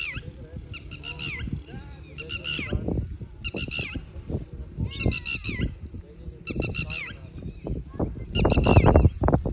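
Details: Red-wattled lapwing (Vanellus indicus) in the evening at Bahria Town, Karachi, gives loud, sharp, strident notes in quick bursts of three to five, repeated every second or so, over low rumbling background noise.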